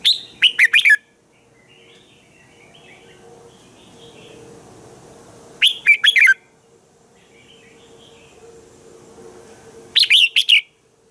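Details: Red-whiskered bulbul singing in the morning, used to train other bulbuls to sing: three short bursts of rich, warbled whistled phrases spaced about five seconds apart, with quiet faint chirps and a low steady hum between.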